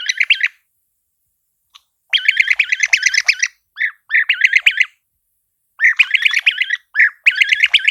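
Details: European Bee-eater, a species breeding in southern Europe, north Africa and western Asia, calling: repeated bouts of rapid, burry, rolling trills about a second long, separated by short pauses, with a few isolated single notes.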